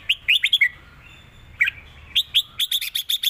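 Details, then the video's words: Red-whiskered bulbul in 'rik' and southern 'mae bot' song: a rapid warbled opening, a short pause, then a bright rattling run of high chirps. "นกเสียงทอง ร้องริก/เพลงใต้แม่บทชัดๆ #นกกรงหัวจุก"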